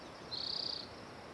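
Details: One short, high, rapidly pulsed trill from a spotted towhee, a dry buzz lasting about half a second against faint steady hiss.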